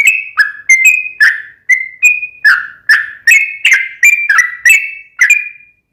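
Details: Long rapid song of a sooty-headed bulbul used as a lure to get another bulbul singing: about a dozen clear, warbling whistles with sharp onsets, spaced evenly, the last one trailing off longer.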